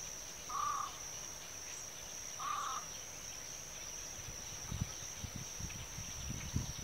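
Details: Great crested grebe with its chick at Tancat de Milia reserve, l'Albufera wetland, gives two short, nasal, mid-pitched calls about two seconds apart over a steady high insect-like hum and some low wind rumble.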